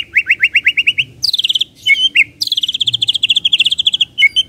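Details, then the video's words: Kretekan of a white-rumped shama, meant to boost emotion: eight evenly spaced rising notes, then a fast high-pitched chattering trill, a short pause, and another long rapid run of high notes. "KRETEKAN MURAI BATU pendongkrak EMOSI✅✅ shama bird✅"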